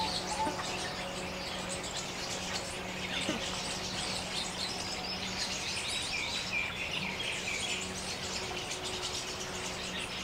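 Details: Small flock of Jungle Babblers in open forest in India, neighbouring kin chattering constantly during mock fights while a pair allopreens; dense overlapping harsh and squeaky notes fill the higher range throughout, with a low steady hum underneath.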